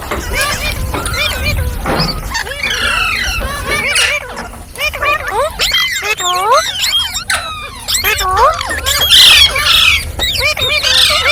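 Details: Ringneck parrot talking, singing and making funny sounds: a dense run of warbled, swooping whistles and speech-like chatter, with rising and falling tonal notes and occasional harsh bursts, almost continuous throughout.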